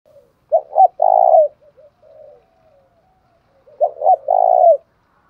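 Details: Spotted dove delivering the "giọng thổ pha đồng" style of cooing, with two matching phrases about three seconds apart. Each phrase has two quick coos and then a longer, even coo, with a few softer notes between the phrases.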